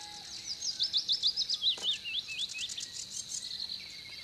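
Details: Eurasian penduline tit building its nest by a reservoir in Żelizna, Poland, April–May 2020, giving very high, thin calls: a quick run of sharp chipping notes, then several drawn-out falling whistles over a soft background hiss.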